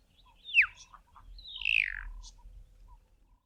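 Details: A juvenile Bokmakierie (Telophorus zeylonus) practises and learns the adult song in subsong: a sharp, down-slurred whistle, then a longer, buzzier note sliding down, over a faint low background rumble.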